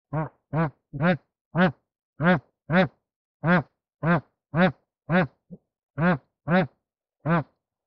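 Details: Bar-headed goose during mating, giving a long series of deep nasal honks, fourteen in eight seconds at uneven spacing, each a short harsh blast with no other sounds.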